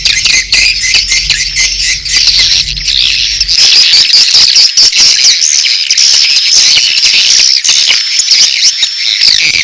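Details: Mating calls of edible-nest swiftlets blended with chick calls, a continuous high, rasping chatter with fine whistled lines over quick ticking clicks, with a low mechanical hum through the first third.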